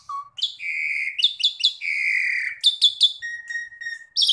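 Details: Asian pied starling song, jalak suren gacor style training track: a low whistle, then long steady whistled notes broken by quick high chips, a varied sequence of clear tones.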